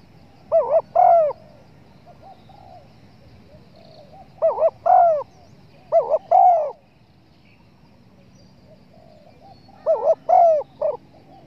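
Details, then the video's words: Spotted dove call played as a lure for bird hunters to draw the birds in. Loud, clear, mellow cooing phrases in two- to three-note groups, with the phrases spaced several seconds apart against a quiet background. "pancingan suara burung TEKUKUR"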